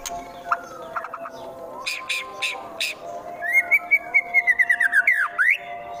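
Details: White-rumped shama from Wonosobo, Central Java, in coarse 'tembakan' song used to provoke rivals: scattered clicks and short chips, then a fast rattling run of whistled notes rising and falling, ending in a sharp upswept whistle.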